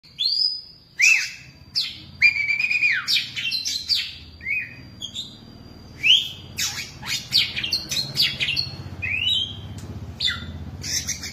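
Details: A caged Oriental magpie-robin of over ten years sings a rich, varied run of clear whistles, sweeping slurred notes and sharp chirps in quick succession, with a low background hum underneath.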